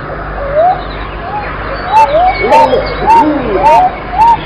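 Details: Pigeon cooing in short rising-falling notes, about two a second. A lower second caller overlaps midway, with light clicking sounds behind.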